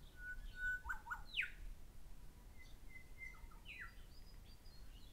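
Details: Grey shrike-thrush pair calling with ringing whistles: level notes, quick paired drops and a bold downslur near the start, then more level whistles and a second downsweep, in a calm outdoor setting.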